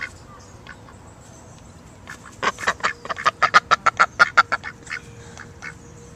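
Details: Ducks filmed among wild animals, giving a fast run of nasal quacks that speeds into a steady series of about a dozen calls, then slows and fades, over a low background hum.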